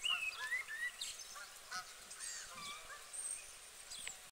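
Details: Canada geese feeding on water in the UK, giving short honking calls in irregular overlapping bursts, several per second, with thin high whistled notes from other birds above.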